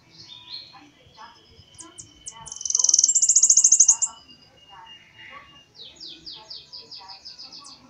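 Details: Bananaquit singing an unusual song variant: high, thin buzzy trills and a rapid series of sharp descending notes, the loudest a dense buzzy burst near the middle, with a long thin whistle-like tone running underneath.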